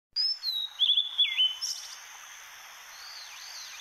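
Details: Blue-and-white flycatcher singing in Hakone in spring, a newly arrived summer visitor: a run of clear, loud whistled notes slides downward, followed by softer fading warbles and a faint distant bird answering.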